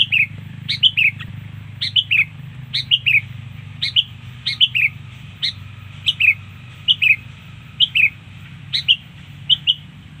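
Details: Sooty-headed bulbul song played to lure birds, a busy run of short whistled phrases, each two or three notes dropping in pitch, repeated roughly every second for ten seconds above a constant low hum.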